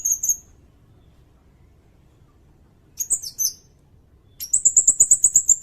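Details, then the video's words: Sirindet song used as a master recording for tutoring songbirds such as kacer and murai batu, and for lure trapping. A high thin chirp, then a pair of sharp notes, then a fast run of about ten very high, even ticking notes. "Suara burung sirindet buat masteran bagus juga buat pikat"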